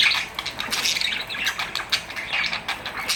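A Rainbow Lorikeet gives a rapid, nonstop run of harsh, shrill screeches and chatters, high and grating, with bursts coming several times a second.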